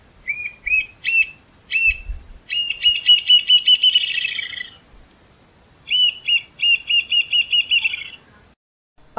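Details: Rufous-tailed jacamar (Galbula ruficauda) in the caatinga sings a laughing-sounding song: high, thin squeaky notes speeding into a rapid trill, then a second accelerating series of sharp whistled notes.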